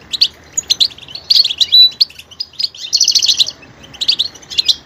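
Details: Goldfinch twittering in quick high chirps, including a fast buzzy trill around three seconds and several clear whistled notes.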